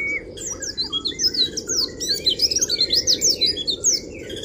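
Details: Oriental white-eye in kriwik style, meant to provoke rival birds: a fast, continuous run of very high, thin, darting twitters, many notes each second, rising and falling in quick sweeps over a low steady hum.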